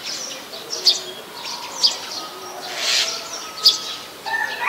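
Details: Brown-throated sunbird in Ubon Ratchathani, Thailand, 13 January 2021, recorded with a Nikon P1000: sharp, high chip notes about once a second over a busy backdrop of faint chirps, a lower steady whistled tone and a brief rushing burst.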